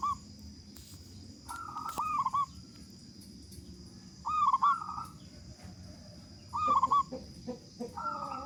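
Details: Loud-voiced local zebra dove singing freely as a lure for other doves: quieter rolling coo phrases come every two seconds or so, each opening with staccato notes, against a noisy background with a faint constant high tone.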